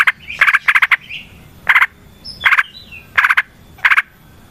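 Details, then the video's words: Yellow-vented bulbul singing in the wild, a recording used as a lure to prompt other bulbuls to sing: harsh, bubbly chattering bursts, each under half a second, repeated at uneven gaps with short pauses. "Trucukan GACOR ngalas ROPEL PANJANG suara alam AMPUH buat pancingan"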